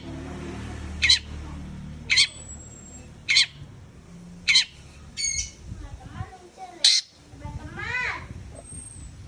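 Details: Long-tailed shrike repeating short, harsh rasping notes about every second, broken by a quick stuttered phrase and a thin high whistle, over low background noise.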